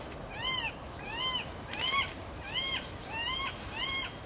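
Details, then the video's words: Northern goshawk pair waiting to mate: a series of six loud, nasal, arched wailing calls, each rising then falling, repeated roughly every seven tenths of a second against a light background hiss. "Goshawk pair, Hønsehauk par"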